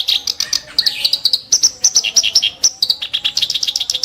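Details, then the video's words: Song of a kerak basi (clamorous reed warbler) in sharp, harsh bursts: a continuous stream of quick, high, scratchy notes, some paired, some dropping, with no pauses through the whole stretch. "burung KERAK BASI tembakan tajam & kasar"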